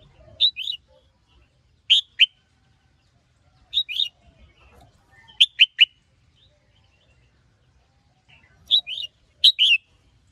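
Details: Red-whiskered bulbul male, stirred by a female, gives crisp paired and tripled whistled chirps, each burst short and downslurred, repeated in groups every one to two seconds with near-silent gaps between.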